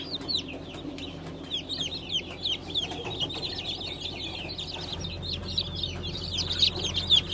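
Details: Recently hatched Brahma chicks in Light, Gold and Blue colours, 20 April 2020, give a busy, irregular stream of thin, high falling cheeps from many birds, with a low droning hum underneath.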